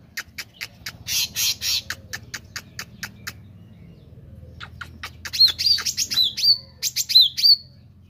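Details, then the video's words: Actively singing Meranti bird gives a run of sharp clicks and buzzy bursts, then after a pause a few loud, high, upslurred whistled notes in quick pairs, with low hum behind. "Burung Meranti Gacor"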